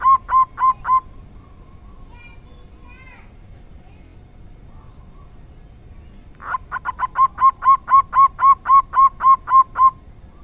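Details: Local zebra dove singing a rare 'dor tak kowor kowor' style: a quick burst of mellow, hollow cooing notes, a pause with faint soft sounds, then a longer run of about fifteen evenly spaced rolling coos.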